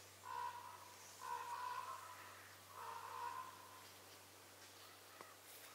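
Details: Young Northern Flicker chicks in a nest near a house, yelling for food to their nearby parents: three harsh, buzzy, harmonic bursts of about a second each, separated by short pauses, then a faint click over a steady low hum.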